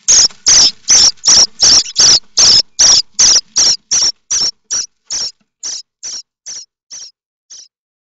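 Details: Common starling nestlings at Théding, France, 7 May, begging as if a parent were bringing food; short, shrill rasping squeals repeated about every third of a second, steady at first, then fading and spacing out before stopping.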